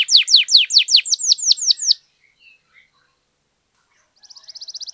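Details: Canary in full song, used to stimulate a silent canary: two seconds of loud repeated falling whistles, a near-silent gap with faint chips, then a soft fast roll beginning at the end.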